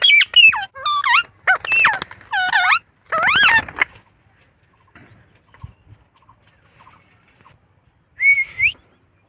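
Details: Pet Indian ringneck parakeets give five quick harsh, wavering harmonic calls in the first four seconds, then near silence with faint rustling, closing on a single rising whistle.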